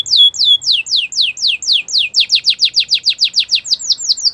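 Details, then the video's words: Belgian canary in song, delivering a long run of clear falling whistles, each a rapid downward slide, repeated several times per second and speeding up slightly toward the end. "Belgian canary singing!!"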